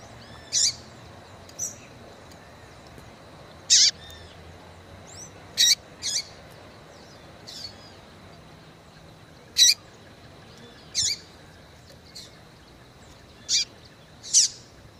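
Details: Female yellow-bellied seedeater calling persistently to stimulate males. Around a dozen short, high, sharp chips are scattered irregularly, some loud and some faint, over a quiet background.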